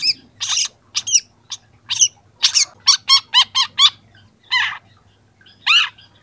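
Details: Song of a young long-tailed shrike, used as a tutor recording, now starting to add imitated phrases: harsh rasping bursts, then a quick series of sharp, clipped upslurred notes, with a low steady hum behind.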